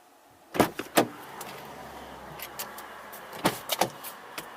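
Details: Car door thumps, clicks and a power window motor over a low background hum, with no animal voices.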